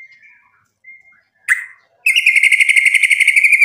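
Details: White-rumped shama singing to provoke a rival into answering: a few faint thin whistles, then a sharp burst and a loud, rapid, buzzy trill held steady for over a second.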